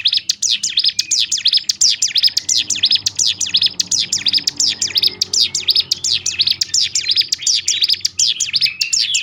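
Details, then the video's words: A bar-winged prinia, or ciblek gunung, in tight 'ngebrem' song to spur other birds of its species: fast, high, ticking chirps tumbling over each other about three a second, continuous throughout, with a soft low background hum. "nembak ngebrem rapat top nya untuk membangkitkan mental burung ciblek gunung lain"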